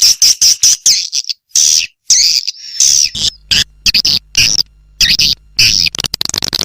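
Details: Swiftlet lure call in the Âm Ngoài Vĩnh Châu style from Vietnam, meant to call swiftlets in: short, sharp high chirps in clipped bursts separated by silent gaps, some slightly drawn-out twittering notes.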